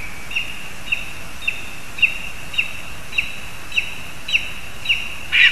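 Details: Lesser spotted eagles at a spruce nest in Zemgale, Latvia, with a frog brought for the young; thin, high yelping notes repeated about every half second, fairly faint over steady background hiss, ending in a louder burst.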